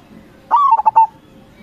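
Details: Zebra dove of local stock used to coax other local doves into answering: a single crisp cooing phrase, slurred opening note dropping into three fast rolling coos and a held final note over quiet background.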